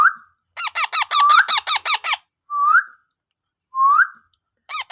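A ringneck parrot gives a quick burst of about eight harsh, nasal notes, then two short rising whistles a second apart, and ends with another burst.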